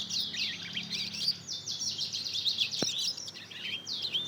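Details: Young mozken, hybrid of Mozambique canary with canary, two months old and still learning its song, delivers a steady stream of high warbled chirps and slurred whistles; one short thud sounds near the middle.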